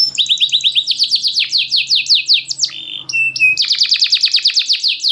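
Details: Champion canary, one of a caged group, singing as a lure to spur lazy canaries. Loud, tight phrasing: rapid runs of repeated downward-sweeping chirps, a brief steady whistled note midway, then a fast, dense, rattling trill.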